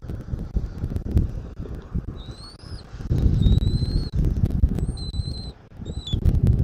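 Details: Bald eagle at a nest in Southwest Florida, recorded 13 January 2024 around 14:17: four thin, high whistled calls, each rising slightly and lasting about half a second, spaced a second or so apart, over heavy low wind rumble and rustling.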